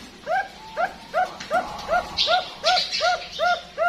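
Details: Bangkok-ring zebra dove, a farm-bred bird at a bird farm in Pasuruan, East Java, Indonesia, giving a steady series of short, mellow arched cooing notes about every 0.4 seconds, with a brief burst of higher hissing noise midway.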